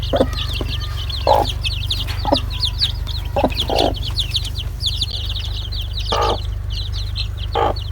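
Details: Busy chorus of chick peeps, short and high with a falling pitch. Several rougher clucking notes come at uneven intervals, with a low hum in the background.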